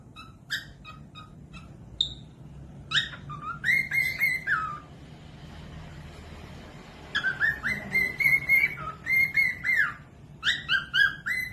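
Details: Cockatiel song played as a tutoring recording for young or reluctant singers. Bursts of bright, harmonic whistles, level notes with quick upward and downward slides, come in phrases separated by a quiet pause midway, over a low steady hum.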